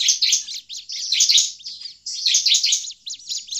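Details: Bar-winged prinia in agitated, noisy calling. Bursts of fast, high, scratchy chirps come roughly once a second with brief pauses between volleys.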